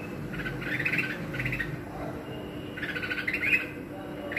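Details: Red-whiskered bulbul singing: short bursts of bubbly, warbled notes at about one second and again near three seconds, over a steady background hum.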